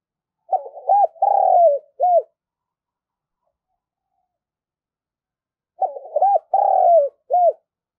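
A spotted dove gives a soft, hollow phrase of several low coos, repeated after a pause.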